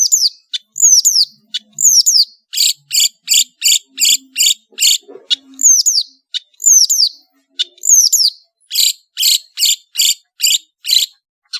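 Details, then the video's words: Long-tailed shrike of Madura origin singing a varied master song. Paired high downslurred whistles alternate with runs of loud, harsh, evenly spaced bursts, each phrase repeated several times. "SUARA burung CENDET GACOR master full variasi | ASLI cendet MADURA GACOR DOR"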